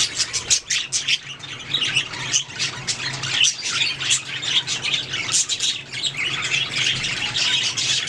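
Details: Several budgerigars singing and chirping as a group, a dense continuous chatter of short high chirps and squawky notes, with a faint low hum beneath.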